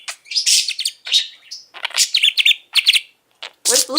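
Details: Nonstop talking from a captive male budgie about to turn six, kept with a second budgie: rapid chirps, squeaky whistled trills and gravelly speech-like mutterings, briefly pausing before a loud harsh burst.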